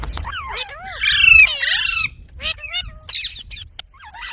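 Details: Pet parrot said to mimic speech produces a mix of looping whistled glides, dipping and rising, with a loud rasping squawk near the start and several short sharp chirps afterward.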